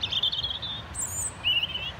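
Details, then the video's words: European robin singing to mark out its territory: high, thin warbled phrases, a wavering strain followed by a brief higher note and another short trill, over faint background hum. "Robin Bird Singing"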